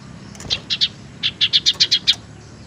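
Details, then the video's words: Tailorbird lure call meant to draw in or stimulate singing in birds that have gone quiet: a run of about ten sharp, high chips, spaced unevenly then quickening toward the end, over faint low background hum. "suara pancingan sirtu teras"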